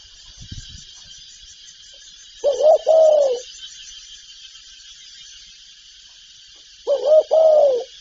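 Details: Two hollow spotted dove coo phrases roughly four seconds apart, each a quick doubled note then a drawn-out falling tone, part of its calling, urging and cooing repertoire; steady background hiss and a brief rustle early on.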